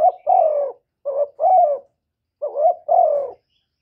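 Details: Calling and cooing spotted dove: three paired phrases, each a short hollow coo then a longer mellow coo dropping slightly in pitch, separated by short gaps in stillness.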